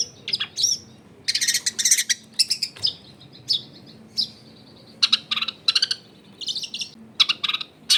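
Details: Long-tailed shrike song serving as a lure to make other shrikes sing, recorded at home in a dense neighbourhood: clusters of fast, scratchy high chatter and trills alternating with brief clear whistles.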